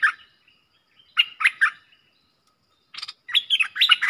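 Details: Two streak-eared bulbuls in an intense song duel on 30/10/2021, luring recording: a few quick clipped notes, silence, then a harsh burst followed by lively warbling notes.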